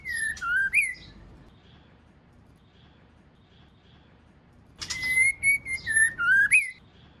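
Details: A female white-rumped shama calling to stimulate a male gives two bursts of rich, sliding whistles with thin high notes, rising and falling phrases, with a quiet gap between them.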